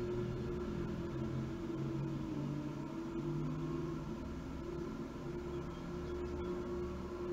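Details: Low engine rumble like a running car or vehicle, with steady droning tones and occasional faint clicks; no animal voice.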